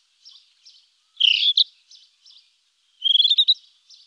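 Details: Song of a rufous-tailed scrub robin: soft scattered notes framing two louder phrases, a rich, rapidly warbled burst and then a fast run of repeated sweet notes, in still surroundings.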